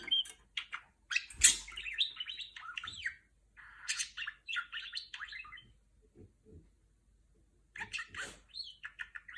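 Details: Caged female budgerigar doing R2-D2 imitation chatter: fast streams of squeaky, bending whistles and scratchy notes in bursts separated by pauses, with a few soft low knocks in between.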